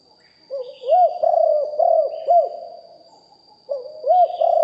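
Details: Spotted dove, a decoy bird kept for luring wild doves, recorded live with a deep voice: two bursts of mellow, arched coos, three or four notes each, a pause between, faint high steady hum throughout.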